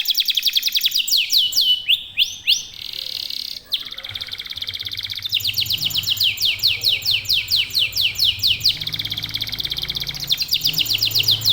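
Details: Domestic local canary in full, nonstop song meant to prompt other birds to join in: rapid sweeping notes, brief buzzy passages and long rolling high trills, with faint low background noise.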